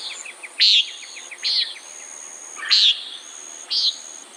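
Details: Common nighthawk giving short, harsh nasal buzzes, four calls spaced about one second apart, with faint chirps and thin insect-like trills from other creatures behind.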